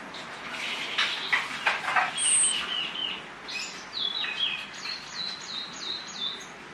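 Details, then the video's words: Orange-headed thrush song used as a lure to get silent birds singing: a fairly faint run of rich, varied whistled phrases and quick trills, then a series of short, high, stepped notes over steady background hiss. "DIJAMIN YANG BISU IKUT BUNYI MENGGUNAKAN PANCINGAN ANIS MERAH INI !!!"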